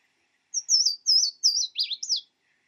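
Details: Louisiana waterthrush male song, sung almost non-stop on breeding grounds until he finds a mate: three clear, high, down-slurred whistles, then a quick jumbled twittering that drops lower at the end. No other sounds.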